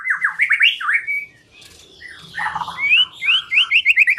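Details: White-rumped shama song used to lure birds into singing: quick swooping whistled notes, a brief pause, then a rough chattering burst and a rapid run of rising whistles.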